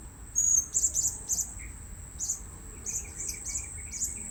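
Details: Blue-crowned hanging parrot heard while luring birds at a new spot: loud, piercing high chirps in quick bunches, a faint lower squeak between, and a constant high-pitched hum behind.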